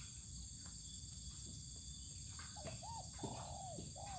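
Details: Spotted dove being sunned outdoors on open land, one cooing phrase arriving late: quick hooked notes then a long falling coo and a short closing note, amid constant high-pitched buzzing and faint ticks.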